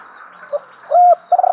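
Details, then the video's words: Decoy spotted dove cooing to lure wild birds: a short soft note, then a steady mid-pitched coo, then a throaty rolling coo starting, all over a faint hum. "chim cu mồi thúc gù, chim cu gáy kích bổi mới nhất, cu cườm thúc gù giọng hay"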